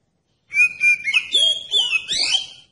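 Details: Oriental magpie-robin (kacer) lure song for prompting other magpie-robins: a level clear whistle held twice, then bending, gliding whistles climbing and falling, a single loud phrase over two seconds in quiet surroundings.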